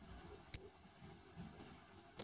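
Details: Saffron finch with a new batch of chicks during feeding: three sharp, very high squeaky notes, the last one rougher and broader.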